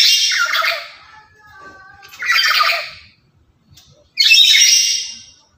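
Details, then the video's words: Loud, chattering lory used as a decoy for other lories: three rasping, noisy squawks about two seconds apart. A faint lower tone sounds between the first two. "Burung Nuri Yang Paling Cerewet Dan Lantang"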